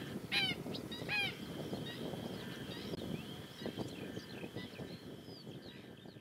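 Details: Female black-winged stilt gives two sharp, nasal, yapping calls early, about a second apart, with softer chirps from other birds and a steady low rumble underneath.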